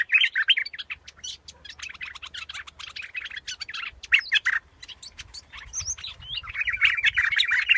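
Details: High, scratchy twitter from a scarlet-backed flowerpecker, fast irregular chips running almost continuously and thickening toward the end; a faint low rumble underneath.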